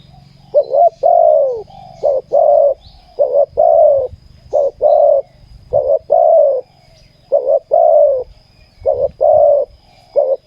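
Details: Spotted dove cooing steadily at a ground decoy trap, giving about seven phrases of a quick double coo and a longer downward-curving croon, each about every one and a half seconds, over faint low rumble.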